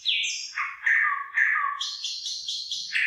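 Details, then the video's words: Bird singing over rice fields with the crop starting to form ears: a varied run of clear whistled phrases, first falling then shifting to higher repeated notes, continuous and loud throughout. "ฟังเสียงนกร้อง เพราะมาก"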